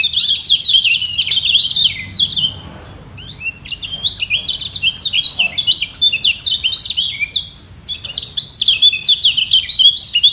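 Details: Lemon-bellied white-eye in a vocal contest where two equally strong birds refuse to yield. Loud, continuous high warbling with quick up-and-down chirps is broken by two short pauses.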